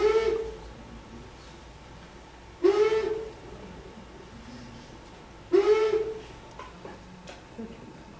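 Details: Long-eared owl in New Jersey, a species that roosts communally and pairs at winter roosts, giving three low, slightly nasal hoots, each swelling briefly and spaced about three seconds apart, over a faint steady hiss.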